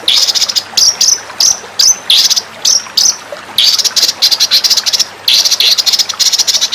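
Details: Training recording of white-rumped shama song: sharp upslurred whistles repeated about every third of a second, then dense buzzy bursts of rapid high notes in short phrases.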